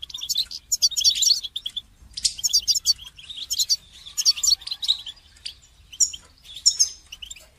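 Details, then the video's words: Goldfinch song for training, a lively stream of high twittering and trilled phrases, with short breaks between bursts and a clean background. "goldfinch song training"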